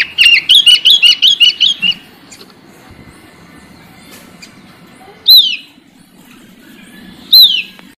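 A sooty-headed bulbul opens with a quick run of about eight bright, bubbling whistled notes, then gives two loud downslurred calls a couple of seconds apart over faint background hum.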